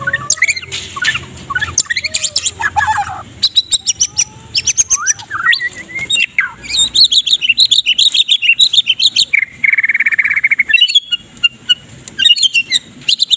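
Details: Medan-type white-rumped shama singing a varied morning song, used as a training model for other birds: crackling bursts, slurred whistles and fast warbled runs, ending in a buzzy rattling phrase and further sharp chatter.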